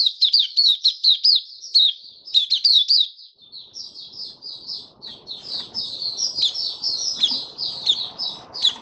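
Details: Kept white-eye (mata puteh) in open song, 23 March 2022, while its diet was adjusted for warm humid weather: rapid high twittering notes, fast and continuous, with a short pause near three seconds and faint low rustling later.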